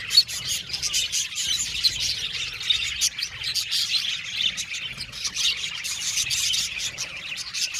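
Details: Many budgerigars in a colony aviary chirp and warble together in a continuous high chatter, broken by sharp clicking notes and a few clearer whistled tones.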